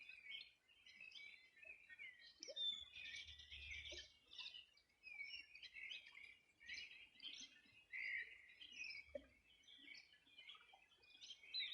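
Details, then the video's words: Birdsong on the banks of the Rio Bueno in Los Ríos Region during a summer morning in 2020. Many high chirps, twitters and short trills crowd together nonstop from several birds, with an otherwise quiet background. "Sonido de las aves a orilla del Rio Bueno"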